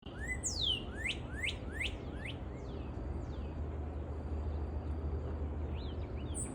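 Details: A red-whiskered bulbul singing on a spring morning gives a quick run of about five bright, sweeping whistles, then softer falling notes, over a steady low rumble.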